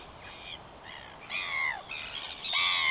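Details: Northern royal albatross, 21 September 2021: a run of grating, nasal cries, several sliding downward, growing louder toward the end, over quiet background hiss.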